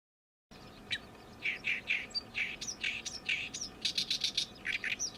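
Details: Oriental reed warbler in summer, newly arrived for the season and loudly scolding out its song: rough, rasping notes tumbling quickly together, mixed with short whistled upslurs, ending in a rapid burst of crackling chatter.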